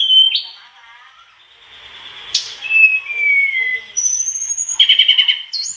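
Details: Mangrove blue flycatcher giving long drawn-out whistles, one gently falling, one high and rising, followed by a fast buzzy trill near the end.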